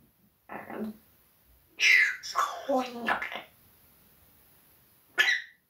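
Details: Talking pet parrot swears at the cat in Russian, a low muttered phrase followed by a louder bright chatter of several rapid syllables, quiet for over a second, then one sharp high squawk-like word at the end.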